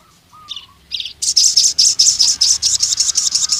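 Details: Javan cuckoo-shrike calling rival males, delivering a steady run of loud, harsh, high-pitched rattling notes about three to four per second after two short buzzy notes and a faint low whistle.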